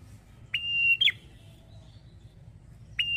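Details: Male red-headed prinia in full song: one held high whistle ending in a quick downward flick, then silence, then the start of another whistle. A low hum runs underneath.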